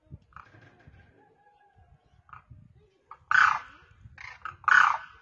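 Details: A lone demoiselle crane on the ground calls to others flying overhead; faint murmurs early on, then two loud, raspy, rolling calls about one and a half seconds apart near the end.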